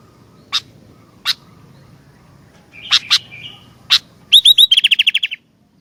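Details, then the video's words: Sooty-headed bulbul with isolated sharp chirps and a brief warble, ending in a rapid string of about a dozen clear repeated notes against faint background noise. "Kicauan Gentilang Gacor Dooor"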